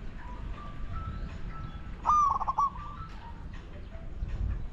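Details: Spotted dove calling in a decoy luring session for wild doves: one loud stuttering coo phrase in the middle, with faint steady tonal sounds and quiet background hum around it.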